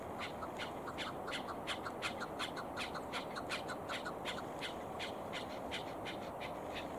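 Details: Chukar partridge, recorded in a chukar-hunting context, gives harsh, clucking chuk notes, almost three a second in a steady run, over a constant background hiss.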